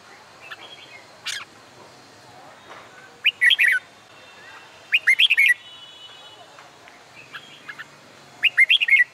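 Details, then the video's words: Red-whiskered bulbul singing on a summer day, trained for song contests: short bursts of bright, warbled whistled notes about every two seconds, with softer chirps from other birds between phrases. "LUYỆN CHÀO MÀO HÓT ĐẤU/ CHIM CHÀO MÀO HÓT GIỮA NẮNG NGÀY HÈ"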